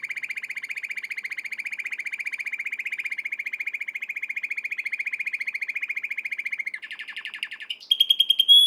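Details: American Singer canary singing a training song: one unbroken, even rolling trill held for about seven seconds, followed by a brief rattly break and high, clear whistled notes.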